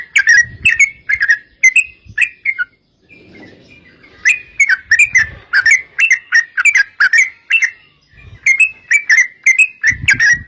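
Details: Sooty-headed bulbul lure song meant to make other bulbuls sing back: bright slurred notes, a brief hush with faint rustling, then a dense run of quick whistled notes with low thumps in the background.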